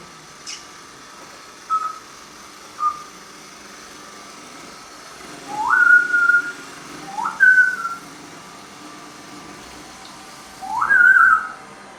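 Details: A pet Congo African grey parrot, almost five years old and known to make cat noises, gives short whistles and clear rising, slurred whistled notes at uneven intervals.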